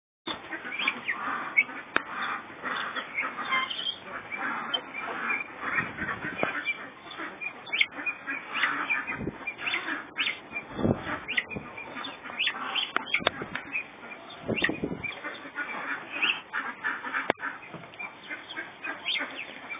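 Guineafowl keep up a dense, harsh chorus of grating, rattling calls from several birds at once.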